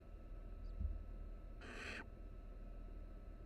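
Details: Barn owl nestlings, three chicks resting close together inside a nest box monitored by a live camera at the University of Florida; one short, harsh, breathy hiss of about half a second over a steady low hum.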